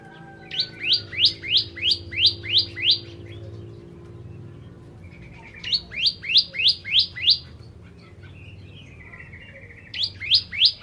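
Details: Bar-winged prinia (ciblek kristal) repeating runs of about eight high, sharp, rising notes, three bursts a few seconds apart, with a brief soft trill between them and a low hum beneath.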